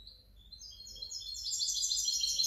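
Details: European goldfinch hybrid, 2019–2020: brief song opening with a few thin chirps, then swelling into a loud, tinkling, rapid high-pitched twitter.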